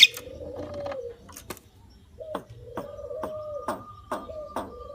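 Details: Javan myna singing: chunky, mid-pitched nasal notes, then a string of sharp clicking strokes over a sustained higher whistle that ends in wavering tones. Faint low background hum throughout.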